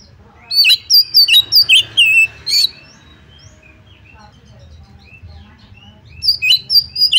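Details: Oriental magpie-robin singing to provoke a rival into fighting: loud bursts of clear, varied whistles and sharp chirps in the first two and a half seconds, quiet faint twitters, then another loud whistled burst near the end.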